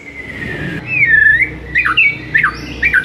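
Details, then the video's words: White-rumped shama master song played to rouse a silent bird: a long level whistle, then a lower drawn-out note and short sharp looping whistles, over a low rumble like passing traffic. "MURAI BISU SONTAK NAIK EMOSINYA DENGAR MASTERAN INI"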